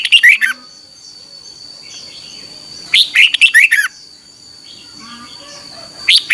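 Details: Red-whiskered bulbul in morning song, 2021, for training birds: three short phrases of lively, slurred whistles, roughly three seconds apart, with soft chatter from other birds and a steady high tone between them.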